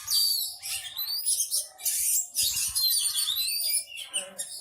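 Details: Caged white-rumped shama, known locally as kacer, singing calmly and unloading its repertoire of imitated notes: varied high whistles, buzzy bursts and sweeping slurs in rapid succession, with low knocking sounds underneath.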